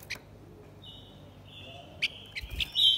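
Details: Blue-winged minla male and female singing as a lure for wild birds: soft, thin held whistles on a steady pitch, broken by a few sharp clicks, then a brighter whistled note at the end.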